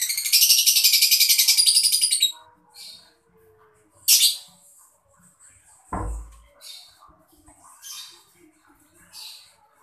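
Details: Mocca-colour lovebird chirping, its sound used to stimulate other birds to sing: a dense, rapid, high-pitched chatter for about two seconds, then scattered short harsh chirps with quiet gaps.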